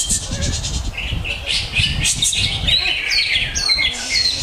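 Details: Greater green leafbird, a kept songbird, singing a lavish song: rapid repeated buzzy notes high up, then clear whistled slurs and sharp rising and falling phrases, over low rumbling background noise.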